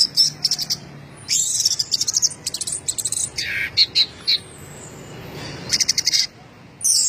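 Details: Varied, energetic song of a champion orange-headed thrush in 'gacor teler' style: high chips and slurred whistles, rapid ticking runs, and a lower, fuller note cluster midway, with short gaps between phrases.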